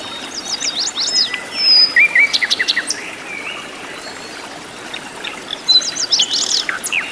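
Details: Wild flycatcher in its natural habitat delivering bursts of high chirps, slurred whistles and a quick stuttering run of short notes, a quiet gap, then another lively cluster of sharp high notes.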